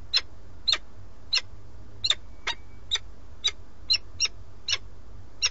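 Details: A male peregrine falcon on a nest webcam near Madrid, Spain, calling the female to come for the starling he carried in. About a dozen short, scratchy notes in five and a half seconds, roughly two per second, with steady background hum.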